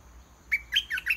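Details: Short burst from a caged decoy red-whiskered bulbul calling wild birds down to fight: one sharp whistled note, then a rapid tumbling pair of warbled notes.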